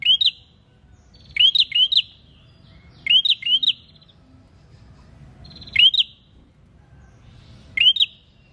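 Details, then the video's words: Prinia in full song, played to trigger other birds to sing: paired bright rising chirps spaced by pauses, then single upswept notes near the end, over a quiet low hum. "PRENJAK GACOR UNTUK PANCINGAN BUNYI"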